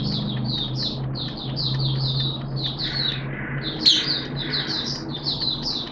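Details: Hobby-kept Oriental white-eye singing in open song on 11 September 2022 in wet, erratic weather: steady stream of evenly spaced high chirped notes, one louder sharp note midway, over a noticeable low droning hum.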